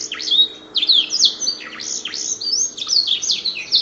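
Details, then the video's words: Prize-winning canary singing a song learned from the black-throat: fast, varied, high whistled phrases with rapid trills and down-slurred notes, sung continuously and loudly. "Burung Kenari Isian Blackstroath Juara"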